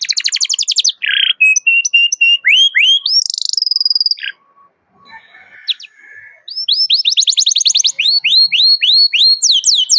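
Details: Loud, vigorous canary calling a rival, a recording used to train young canaries to sing: rapid bright chirps and upswept notes with a buzzy trill, a near-silent pause mid-clip, then fast repeated rising chirps resume.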